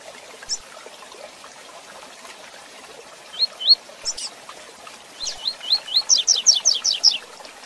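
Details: Double-collared seedeater in the classic Tui Tui Zel Zel song, used for teaching and handling birds: a few scattered rising whistles, then a fast, accelerating series of about ten sharp upslurred notes, over a background hiss.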